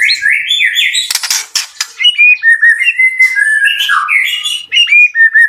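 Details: White-rumped shama at a bird farm pouring out varied song: rich fluty whistles and warbles broken by a harsh, noisy rasping burst, then clear, sliding whistled phrases.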